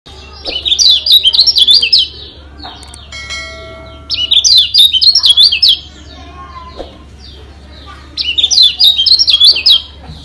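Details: Lombok yellow white-eye (kecial kuning) song used as a training recording to make birds agitated and sing harder: three bursts of fast, high, twittering zigzag notes about every four seconds, quiet pauses between, with a brief ringing tone midway.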